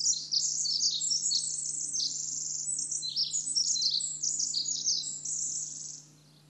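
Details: Pacific wren pouring out a long, very high, tumbling song of rapid trills and twittering notes for about six seconds, then stopping abruptly; a faint low hum remains.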